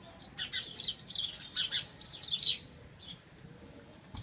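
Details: House sparrows give a quick flurry of high, clipped chirps in the first half, then only a few scattered notes as the chatter fades.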